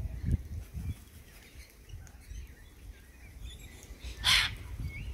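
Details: Morning call of a sulphur-crested cockatoo: a single loud, raspy screech late in the recording, preceded by faint distant chirps and low rumbling background noise.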